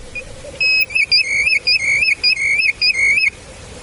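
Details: European golden plover on a spring bog in Kõrvemaa: a run of clear, loud whistled notes, each a short steady whistle, about nine repeated in quick rhythm over three seconds with brief gaps, over a faint low background hum.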